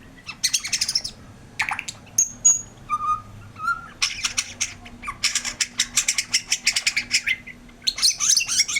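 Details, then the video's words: A white-rumped shama's 'gacor' song mixes harsh rasping bursts with a few clean whistled notes, high then lower, before long stretches of rapid scratchy chatter. "suara burung murai batu gacor"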